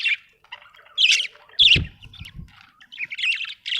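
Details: Budgie giving harsh squawky chirps and buzzy notes in quick, irregular bursts, with one soft low thud in the middle.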